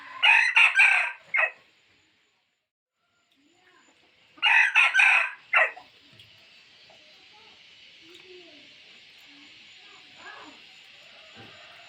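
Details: A rooster's lure crow meant to provoke other roosters: two loud, rasping crows roughly four seconds apart, each with a short trailing note, then a long stretch of steady hiss with faint scattered noises.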